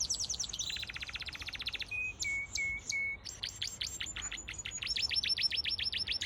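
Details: Yellow canaries in an outdoor mixed aviary with finches and softbills: fast rolling trills of repeated notes, a few level whistled tones near two seconds, then high rapid trills again.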